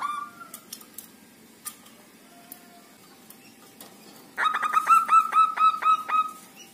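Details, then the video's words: Zebra dove of a local type, housed five days in a communal cage, sings: faint scattered sounds first, then a loud string of about nine fast, sharp coo notes repeated evenly for two seconds. "SUARA PERKUTUT LOKAL OMBYOKAN 5 HARI LANGSUNG GACOR"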